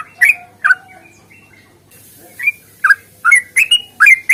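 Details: Yellow-vented bulbul fighting song used to coax birds into singing; scattered bright chirps and slurred whistles with a gap midway, then a quick cluster of rising notes at the end.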